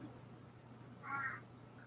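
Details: Single short, harsh caw from one of four or five crows that come to a back door every morning and are very active that day, rising out of a steady low hum and quiet background.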